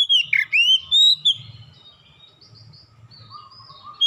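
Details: Oriental magpie-robin delivering lure song to coax birds into vigorous singing: a quick cluster of rich, looping whistles over about a second and a half, followed by soft distant notes and a closing clear whistle.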